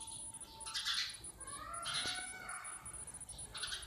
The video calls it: Natural sound of Sparrows